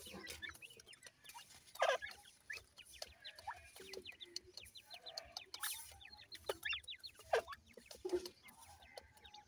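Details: Feeding, playing grey francolin chicks make a busy chorus of short high down-slurred peeps. Now and then louder sharp chip notes and soft clicks rise above it.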